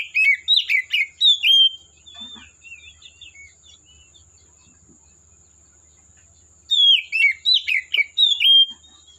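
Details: Singing Oriental magpie-robin in forest habitat: loud bursts of rapid, varied whistles and chattering notes at start and end, soft warbled phrases between, a faint continuous high tone behind.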